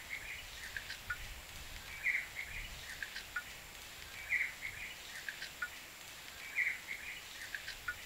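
A blue-capped rock thrush gives a short bright chirping phrase about every two seconds, with a few softer ticks in between, over a steady background hiss.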